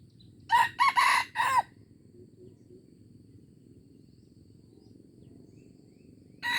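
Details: Junglefowl from Aceh, recorded 25 April 2020, gives a short crow of four harsh, rough bursts in quick succession over a low steady background hum, then quiet until a new crow begins at the very end.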